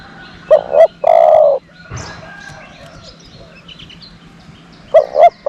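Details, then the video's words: Dove used as a decoy to attract wild doves, cooing a low double note then a drawn-out hoot, with a brief rustle mid-clip and the double note returning at the end. "นกต่อ เสียงนกต่อ"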